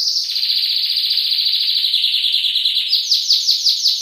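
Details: Masteran recording of a singing canary: a fast, sustained chattering trill that holds level, then switches near the end to slower, distinct, sweeping notes repeated about five times a second.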